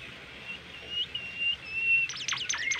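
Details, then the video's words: Melodious Bimoli masteran song, from a bird described as rare, easily tamed and quick to sing: long thin level whistles, then a rapid burst of sharp falling sweeps at the end. "masteran merdu burung bimoli gacor"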